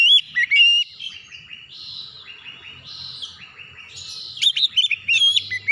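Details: Oriental magpie-robin lure song, used to coax other birds into singing: loud whistled notes, then a stretch of softer, varied warbling and chatter, closing with another burst of bright whistles.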